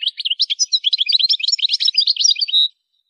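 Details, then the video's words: A European goldfinch sings a rapid, jangling phrase of tinkling, high chirps that run together for under three seconds. The phrase closes on a short, level buzzy note. "Effective techniques to improve the goldfinch's ability to song"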